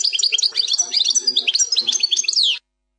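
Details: European goldfinch, plak mine song style, fourth section: two and a half seconds of lively, tinkling twitters and quick slurred notes ending on a downward slide, then silence.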